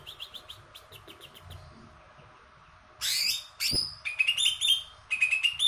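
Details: Greater green leafbird of the large 'kebo' type, a former contest bird with a very loud, ear-piercing voice. After faint chips, the bird bursts into loud, sharp, buzzy notes and rapid whistled trills that swing up and down.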